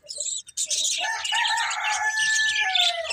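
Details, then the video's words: A few quick chirps lead into a sustained, nasal, harmonic budgie warble that holds steady, laced with scratchy chatter from other birds. "Cute Budgies Chirping Sounds"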